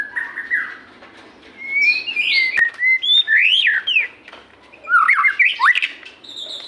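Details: Loud, bright white-rumped shama song, played to coax reluctant kept birds to sing: a long held whistle, then steep upward and downward sweeps and tumbling phrases reaching high pitches, with one sharp click.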